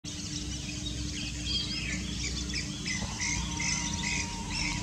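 A flock of lesser whistling ducks gives short, thin whistles that overlap in quick, uneven bursts over a steady low hum and background rumble.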